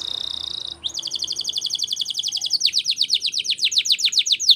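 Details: Spanish Timbrado canary in training song, a fast ringing trill running about two seconds, then a series of sharp descending sweeps repeated several times a second, high, loud and metallic.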